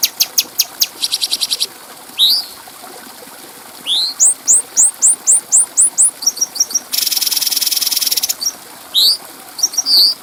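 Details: Cucak cungko bulbul from a clear-voiced masteran tape for training birds: rapid chip runs, a dense buzz, a row of rising whistled slurs, paired notes and a long harsh buzzy trill.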